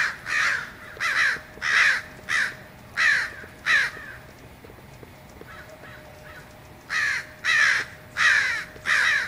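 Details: American crows congregating in large numbers in a Fresno, California neighborhood on 2 January 2016, gathered around an ironbark eucalyptus: harsh, loud caws in quick series of about one per second, a quieter pause, then another run of caws.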